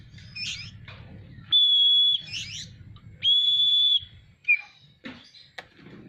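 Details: Oriental magpie-robin in strong song, spreading its tail: raspy scratchy notes, then two long level whistles separated by more rasping, then short clipped calls, over a steady low hum.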